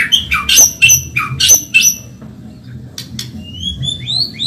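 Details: Fast-singing white-rumped shama of the Medan type, recorded for training caged birds: several harsh, rasping high notes in quick succession, then soft thin rising whistles, with a low steady hum behind.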